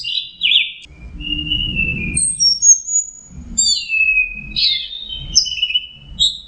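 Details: Relaxed teler song of an Orange-headed thrush: varied whistled phrases, some sliding down, others short and high, alternating with soft low background thumps.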